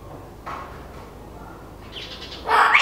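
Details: In a garden in Nezahualcóyotl, northern zone, State of Mexico, where the species is now often seen, a great-tailed grackle gives a faint rising whistle, then a loud, harsh, rasping squawk at the end.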